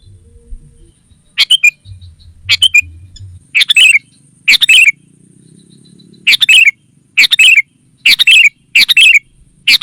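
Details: Sooty-headed bulbul lure call used to draw wild rival bulbuls: short, loud, bubbly three-note phrases with a falling end, given in spaced bursts about once a second after a quiet start.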